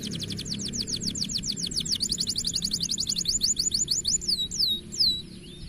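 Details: Caged kenari paud canary singing actively: rapid trills of sharp downsweeping whistled notes, several per second, running high and bright and shifting into slower, looser slurred notes near the end, over a faint low hum.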